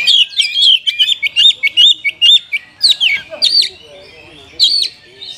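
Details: Oriental magpie-robin song for prompting sluggish caged birds to sing, a run of sweet whistled notes repeated about every fifth of a second, then a few sharp separated upslurs.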